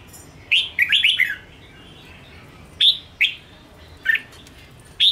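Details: Wild-caught caged red-whiskered bulbul used to rouse and train other birds, opening with a rapid run of warbled notes, then isolated sharp whistled calls spaced about a second apart.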